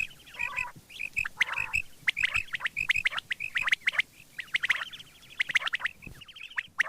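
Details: Quail morning calls: harsh, squawky chattering notes in overlapping bursts, roughly one a second, mixed with sharp clicks and brief high twitters.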